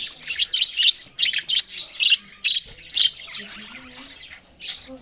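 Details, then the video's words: Budgerigars chirping in short, bright bursts roughly twice a second, high and slightly grating, with quieter warbling between bursts and a low faint hum underneath. "parrot chirping sounds"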